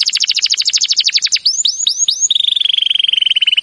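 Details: Canary singing a training song: rapid bright trill of falling notes, four hooked whistles, then a long fast steady trill slightly lower in pitch.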